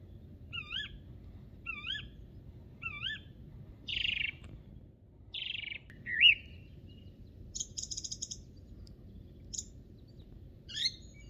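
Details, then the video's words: Spring song of a song thrush on Monte Baldo in Trentino, Italy: a clear rising-and-falling whistled phrase repeated three times about once a second, then varied squeaky and chattering notes, with quiet low background noise. "IL BELLISSIMO CANTO di PRIMAVERA del TORDO BOTTACCIO"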